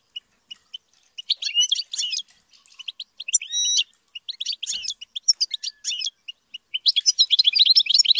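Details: European goldfinch reared for song: spaced high chirps building into bursts of twittering, one clear whistled phrase, and a dense rapid twitter at the end.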